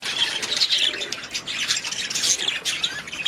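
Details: Budgerigars chattering together, a dense, continuous mix of high, scratchy squawks and chirps with bright warbled notes, rising and falling in loudness without pause.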